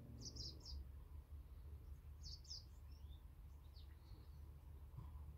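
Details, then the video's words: Garden birds calling on a fine day near a feeder and water feature: bursts of quick high twittering notes at the start and midway, a few thin slurred chirps between, with constant low water rumble beneath. "Enjoying the birds singing in our garden"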